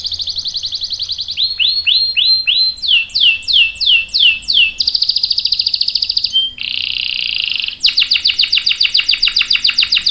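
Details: Canary long-rolling song, played to make other canaries respond: high trill, slow swooping phrases in fours, then stretches of dense fast buzzing rolls broken by short pauses.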